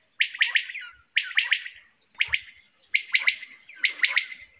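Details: A quail gives raspy clusters of three fast notes, each group sliding downward and repeated about once a second, on a quiet background.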